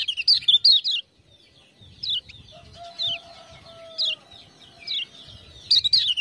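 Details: Lemon-bellied white-eye, kept as a tutor singer and prompted by ciak-ciak sounds, gives short clusters of high slurred chirps spaced about a second apart, with a long low steady whistle from another source in the middle.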